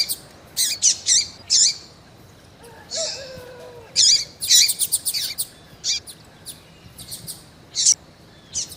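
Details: Female double-collared seedeater kept by breeders, calling to excite a male: bright, high chirps in clusters, with a fainter, lower wavering whistle from another bird about a third of the way in.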